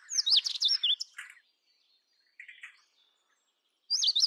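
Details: Indian robin, Copsychus fulicatus, a bird of open scrub in the Indian subcontinent, singing: a loud burst of looping, wavering whistled notes lasting over a second, a softer chirpy phrase after a pause, then another bright looping phrase begins.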